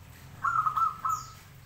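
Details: Actively singing local zebra dove: one short phrase of three mellow, vibrating coos in quick succession at an even low pitch, over soft background rumble.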